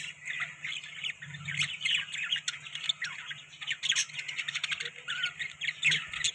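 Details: Pet budgies feeding on soft food, giving a steady stream of scratchy chirps and squawky warbles, many birds overlapping, with clicks and a low background hum.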